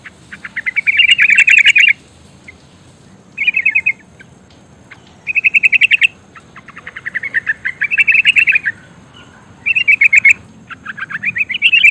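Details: Female sooty-headed bulbul calling the male in the rolling 'ngerol' style, used to stir birds into sound: six bursts of rapid, chattering repeated notes, each lasting about a second, separated by short pauses.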